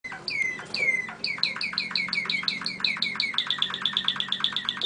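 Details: Malinois canary singing alone, a full brother of another bird; the two have never sung together. Slurred descending notes open into long runs of rapidly repeated clipped notes, speeding into a dense rattling trill at the end.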